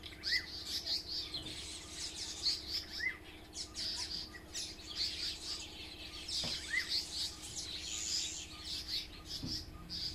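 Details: Pair of African paradise flycatchers mobbing a hornbill close to their nest holding chicks, at a caravan park: steady scratchy high chatter, with clear rising slurred notes near the start, around three seconds and around seven seconds, over a low steady hum.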